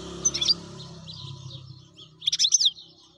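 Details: Wild European goldfinch singing two high, bright twittering bursts over a steady low hum and faint background rumble.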